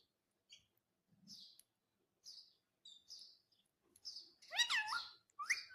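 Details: Indian ringneck parrot giving sparse, quiet high chirps, then a louder, harmonic, wobbling voice-like phrase followed by a short squawk toward the end.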